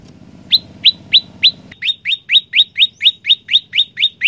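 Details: Olive-backed tailorbird singing vigorously, loud upward-sweeping chirps at about three per second, continuing unbroken as the low background hum suddenly drops away midway.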